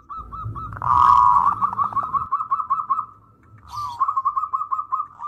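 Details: Zebra dove (perkutut) in active, melodious song, played as a lure to draw song from untrained doves; rapid stuttering coos around one pitch, repeated about four times a second, with a loud blurred burst near the start and low background rumble.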